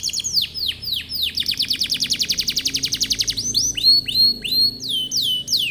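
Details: Canary lure song for provoking other canaries: repeated downslurred whistles that speed into a fast rolling trill, then slower upswept whistled notes.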